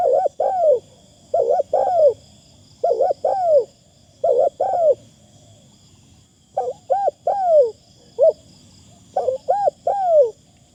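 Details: Caged decoy Spotted dove calling with a pleasant, light delivery: repeated phrases of two quick bouncing coos and a longer drawn, downslurred note, given every second or two in a steady series over a quiet background.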